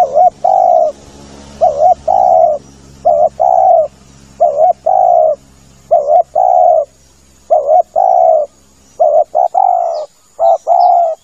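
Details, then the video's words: Lure recording of a spotted dove for hunting from a hide: soft, hollow coo phrases, each a short broken note followed by a sustained one, repeating steadily and crowding closer together near the end. "SUARA PIKAT TEKUKUR cocok buat nyanggong . suara tekukur tanpa iklan"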